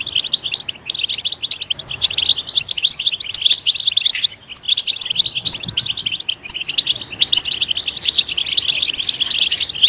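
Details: Long, loud goldfinch song of continuous high twittering and jingling chirps, rich and rapid throughout, with a dip in the middle before it swells again.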